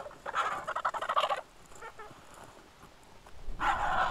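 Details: Griffon vultures in a feeding frenzy at the Hai Bar Vulture Feeding Station, Israel, on 2.8.21, caught by a station camera: a rough burst of rapid rasping cackles lasting over a second, a quiet gap, then another harsh burst.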